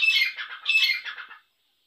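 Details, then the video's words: Short burst from a grey francolin, known locally as Irani dakni teetar: two or three harsh, scratchy squawks run together, then silence. "Irani dakni teetar ki awaz"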